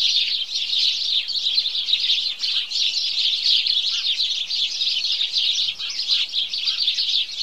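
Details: Morning chorus of house sparrows: a dense, unbroken wall of bright overlapping chirps from many birds at once, with slight surges and dips in loudness and no other sounds standing out.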